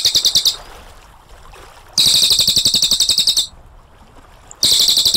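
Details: Cililin singing a clear, rolling 'AK47' style trill. A high, rattling burst of fast, even pulses ends at the start and is followed by a longer burst of about one and a half seconds. A third burst starts after a quiet gap.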